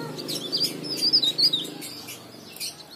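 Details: Leaf warbler singing, used as a lure to draw song from silent or newly caught birds: quick high-pitched chirps and short sweeping notes in a busy, uneven string.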